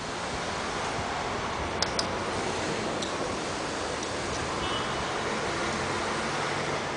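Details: Steady broadband rushing noise, like surf or wind, with two faint clicks near the two-second mark and no animal voice.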